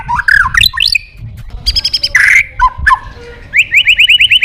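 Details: White-rumped shama in full song, played as therapy to stimulate other birds to sing: varied clear whistles sliding up and down, a harsh buzzy note mid-phrase, ending in a fast run of about nine rising whistled notes.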